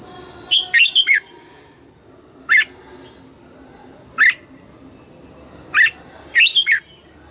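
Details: Morning song of a red-whiskered bulbul being trained in the double-note mature wild style: a rapid cluster of chirpy whistles, then single clear notes about every one and a half seconds, with a constant thin electronic whine.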